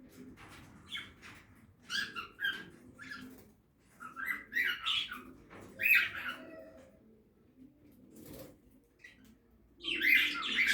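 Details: Budgies feeding in a backyard aviary give scattered clusters of scratchy chirps and warbles, with quiet gaps between bursts and a louder chattering run at the close.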